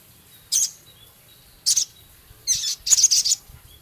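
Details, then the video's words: Male Javan cochoa in rough chatter: two sharp high harsh calls, then a stuttering series of scratchy notes breaking into a brief rapid high rattle. "Burung Sogon Jantan gacor isian full Sepah raja ketikan crecet kasar"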